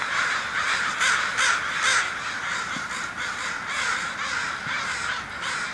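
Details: A run of loud rasping caws from crows flying off, paced roughly every half second at first, then softer calls from the flock continuing behind.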